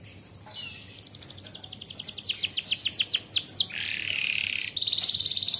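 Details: Canary tutor song for young canaries, starting quietly and building into a trill of sweeping notes that slow and fall, then a harsh buzz and a high rapid trill.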